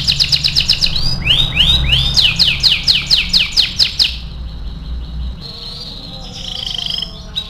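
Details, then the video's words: Vigorous AF canary song used as masteran training material: rapid high chattering trill, rising curved slurs, then quick descending notes, fading into softer warbles and a faint thin note near the end, with low background rumble. "MASTERAN KENARI AF GACOR"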